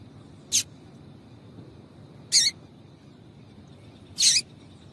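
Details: A female double-collared seedeater calls three times, evenly spaced short high chips roughly two seconds apart, a sound meant to stimulate a male to sing; low hiss beneath.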